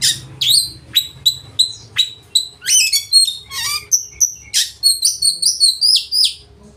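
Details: Oriental magpie-robin delivering a loud, varied song that drives rivals to sing along and fan their tails: a series of short, evenly spaced sharp chips, then sweeping whistles and rapid high trilled notes.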